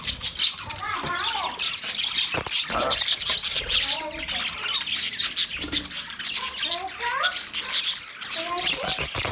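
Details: A flock of Australian budgerigars chattering: continuous busy warbles, squawks and chirps from many birds overlapping, with a dense high hiss of calls throughout.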